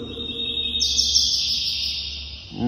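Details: Two-year-old male Double-collared Seedeater (coleiro), moulting from spotted to black plumage, sings the classic tui tui zel zel song with third note in full voice: a steady high whistle leaping to a higher sustained note, with low background hum.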